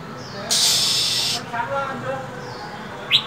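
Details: A female Oriental magpie-robin in cold winter gives a long, rough hiss of about a second, then near-silence. One sharp high chirp comes at the end. She calls to encourage males to sing.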